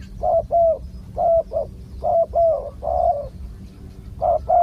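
Spotted dove giving soft, hollow coos in uneven groups of two or three, mid-pitched and repeated several times against a low rumbling background.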